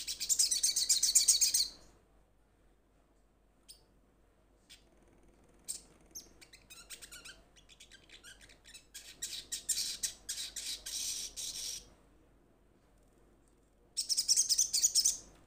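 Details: Calling to companions, a little spiderhunter gives a dense high-pitched rattle, then scattered chips and a looser chatter, ending with another loud fast rattle.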